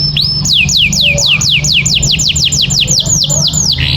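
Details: Canary singing as a master for training: a steady run of descending whistled sweeps, evenly repeated several times a second, ending in a short buzzy note, over low background hum.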